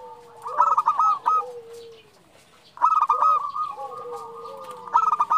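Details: Female zebra dove calling the male: two loud bursts of rolling, rapid coos, each trailed by a soft, low, descending coo, with crisp clicks throughout.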